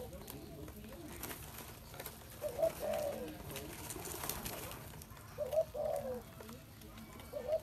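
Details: Spotted dove repeating a low, mellow coo phrase about every three seconds, each a quick note run into a longer purring coo, over faint background noise.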